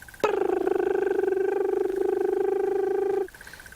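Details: On an afternoon safari drive in the Sabi Sands, South Africa, on 25 October 2015, a crested barbet sings from a treetop: a sustained, rapid low trill like an alarm clock ringing, unbroken for about three seconds, then stopping abruptly.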